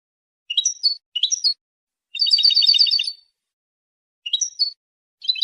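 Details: European goldfinch song, used for claiming territory and drawing females: paired bright chirps, a one-second rolling trill of quick tinkling notes, then further chirp pairs; no other sounds.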